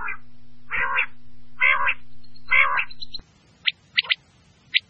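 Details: Quail (batair) from KPK calling: three loud harsh buzzy notes roughly a second apart over a constant low hum, followed by thin, sharp high pips, single and doubled.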